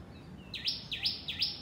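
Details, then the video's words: A house sparrow from a garden flock. Three loud, clear chirps, each dipping and then rising, repeat about every 0.4 seconds over a faint low hum. "Chirping Sparrows"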